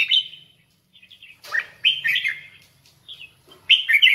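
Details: Red-whiskered bulbul in competitive singing, bright, bubbly warbled phrases in three loud bursts over four seconds, with softer chirps between and a faint low hum.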